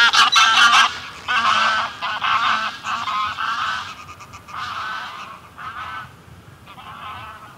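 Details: Greylag geese: a small flock giving close, loud, harsh honking flight calls in overlapping bursts, then softer calls at medium distance from the flock on the ground.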